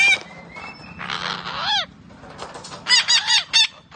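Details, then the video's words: A green parrot talking gives harsh, raspy vocalizations and bent whistles in bursts, with a loud screechy burst near the start and a run of three squawks near the end. "Green parrot talking sounds"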